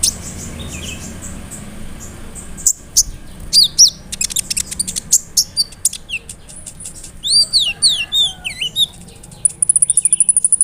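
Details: Lure song of a sunbird to get others answering: fast, very high chips, looping whistled slurs rising and falling, and a closing rapid even trill of tiny ticks.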